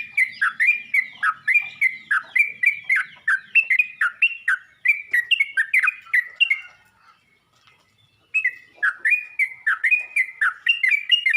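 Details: Bulbul chatter from a yellow-vented bulbul calling other bulbuls: rapid bubbly chirps for nearly seven seconds, a quiet gap of over a second, then the lively run resumes.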